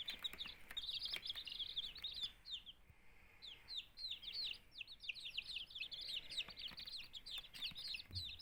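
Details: Two-day-old chicken chicks, hatched in a homemade incubator from 13 of 14 eggs and kept with quail chicks, peep in a fast, steady stream of thin, high, downward-sliding notes, with faint background hum.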